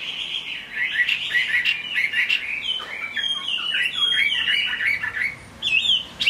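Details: Chinese hwamei singing in the rain: dense, varied warbling with rapid chattering notes and looping whistles, getting louder and more jumbled toward the end.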